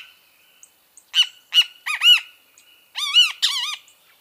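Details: Great kiskadee song: a run of four sharp, clipped notes, then two loud, harsh, wavering arched notes in quick succession; clean, quiet background.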